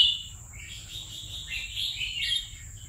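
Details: Red-whiskered bulbul, a two-year caged bird, gives a soft, continuous warble of rolling whistled notes wavering up and down for about two seconds.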